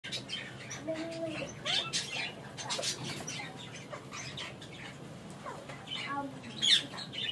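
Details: A female Derbyan parakeet gives scattered harsh, raspy squawks and chattering notes with a brief whistled tone near the start, in a small room with a faint human voice.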